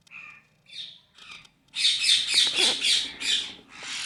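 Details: Playing parrot, August 26, 2023: a few brief chirps, then a run of loud harsh high squawks repeated about four times a second for over two seconds.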